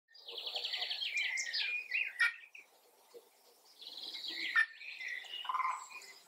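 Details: A male Lady Amherst's pheasant, close up, giving its quiet contact calls: two bursts of busy, high twittering, each about two seconds long, with a sharp click between them.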